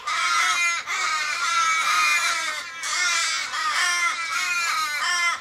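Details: Australian ravens, fifteen or more, in a Kellyville street in Sydney on 1 July 2012, circling a dying flock mate possibly hit by a car. A dense, continuous chorus of overlapping drawn-out, harsh wailing caws with falling ends, with no pauses.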